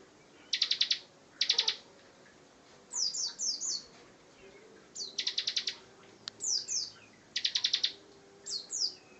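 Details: Bar-winged prinia singing in short bursts: dense buzzy rattles alternating with runs of high falling chirps, each burst under a second, with quiet gaps between.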